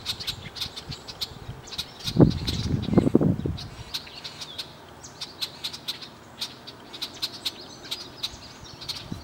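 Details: A male and a female red-winged blackbird sitting at Chippewa Nature Center give sharp, high chips, repeated irregularly several times a second, with a low rumbling thump of wind or handling partway through.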